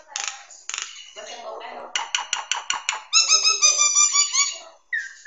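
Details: Nias hill myna song used as a master recording for training songbirds, advised for morning or evening: harsh rasping bursts, then a rapid run of sharp clicking notes, then loud ringing harmonic tones, ending in a nasal rising note.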